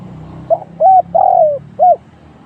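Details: Spotted dove decoy in trapping giving one cooing phrase: a brief note, a rounded hoot, a long smoothly falling coo and a final arched hoot, over a steady low hum.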